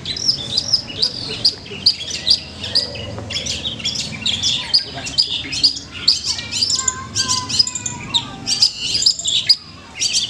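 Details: At a singing contest in Manden, a long-tailed shrike gives a busy, varied song of harsh chirps, squeaks and mimicked whistles in rapid bursts, with a few lower warbled notes and background chatter from other birds.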